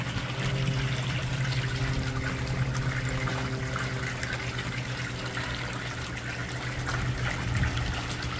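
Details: Trickling, pouring water over a steady low hum, with no clear animal calls.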